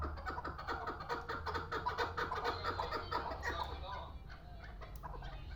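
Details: Chukar partridge of the Pamir, kept as a hunting bird, giving a rapid run of harsh, clucking chuk notes about twice a second. The notes build and then thin out, against steady low rumbling background noise.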